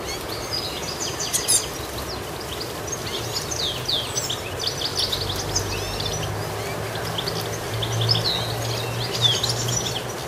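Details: Goldfinch chirping busily: scattered high, thin notes and short slurred twitters come in loose bursts, with a constant hiss and a low hum underneath.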